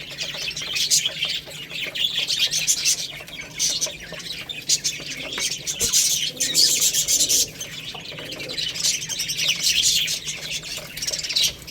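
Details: A group of young chicks eating rice, chirping continuously in high, shrill peeps that swell and fade in waves, over a steady patter of pecking clicks.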